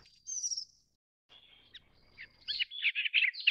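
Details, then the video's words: A Grey-chinned minivet (Pericrocotus solaris) gives thin, high whistled notes, then a quick burst of sharp, sibilant chirps rising and falling rapidly, with a faint low rumble underneath. "灰喉山椒鳥/Grey-chinned Minivet"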